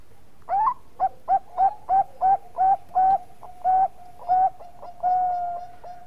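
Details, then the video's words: Bangkok-type zebra dove singing actively, used as a lure song to prompt other birds: a run of about ten short, clipped cooing notes, most with a quick upturn, spaced roughly every third of a second over a steady background tone. "Perkutut bangkok gacor Suara Mas Jagonya Pancingan"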